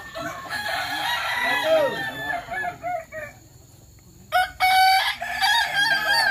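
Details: Crowing contest practice of Kukuak Balenggek chickens in Sawah Lunto: overlapping rolling crows for three seconds, a quiet gap, then a sharp, loud renewed crow with clear harmonic steps.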